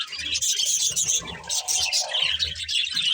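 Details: Budgerigars, a breeding pair, chirping while eating, bright high chirps over a low mid-range murmur.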